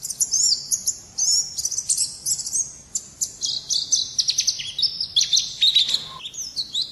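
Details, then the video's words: Pet contest white-eye (pleci) singing in the champion 'gacor' master style, 2017: a rapid, continuous run of high, thin chirps and slurred whistles, with short bursts packed closely together and only brief pauses. "Birds Chirping Pleci Master Joss Chirps"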